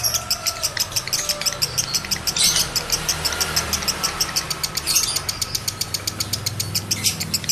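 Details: Male lovebird in high breeding condition, used to bring other males into condition; fast high chirping notes repeat steadily, with a louder burst near the middle and a low engine-like rumble underneath.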